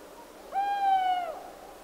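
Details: In woodland, a long-eared owl gives one even, level hoot that holds steady for most of a second, then drops slightly at the end. The background is soft and quiet.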